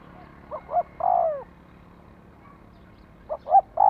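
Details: Spotted dove calling to excite a decoy: one full phrase of two short coos and a long descending croo, then a gap, then the opening notes of the next phrase.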